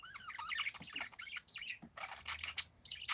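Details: Several parakeets, described as peaceful, give a dense run of high chirps and short squawky notes that overlap in quick succession, some bursts rising and falling, with no gap in the chatter.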